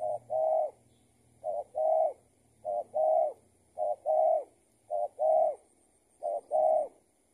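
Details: Spotted dove calling while being lured with a decoy, the bird an escaped tethered decoy; paired low coos, a short note then a longer drawn-out one, repeated about every 1.1 seconds, six times in a row.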